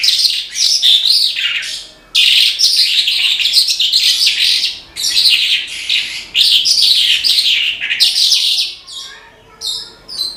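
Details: Horsfield's bush lark (branjangan) singing energetically: dense, scratchy high warbled phrases in long bursts, with brief pauses near two, five and nine seconds, then short chirps at the end.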